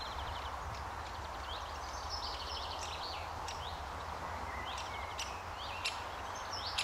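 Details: Juvenile great spotted woodpecker (Dendrocopos major) begging for food while being fed at a tree-hole nest near the gatehouse, RSPB The Lodge, Sandy, May 2011: rapid high chattering and sharp 'kik' calls over steady wind rumble.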